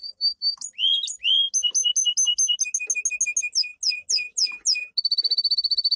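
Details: Domestic canary singing a powerful training song: short whistled notes, then series of repeated downslurred chirps gradually changing shape, ending in a fast, even, high trill.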